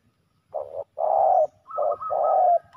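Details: Fighting male spotted doves in a ground decoy contest. Low cooing in two-part phrases, each a short note then a longer mellow coo, with a slightly higher thin tone joining at the end.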